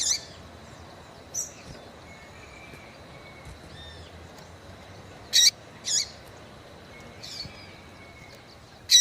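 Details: Female Yellow-bellied Seedeater calling to stimulate males: sparse high chirps, a few faint ones early, then louder sharp notes spaced about half a second to three seconds apart, with a faint thin whistle and background hiss.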